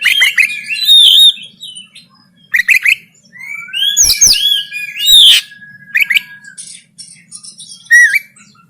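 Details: Oriental magpie-robin (kacer) in a konslet tarung fighting song from Banten, taken with an Android phone to train birds: loud bursts of fast, varied whistled slurs and scratchy notes separated by short pauses, with a faint steady tone.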